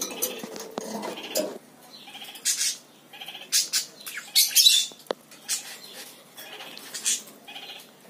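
A lory gives harsh, screechy squawks in short bursts, several close together and then pausing, with faint clinking in the background.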